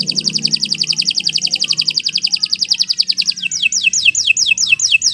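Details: Canary in full long song for training: a fast, dense, high trill of evenly repeated notes for over three seconds, switching to a run of sharp descending chirps, with a faint low hum beneath.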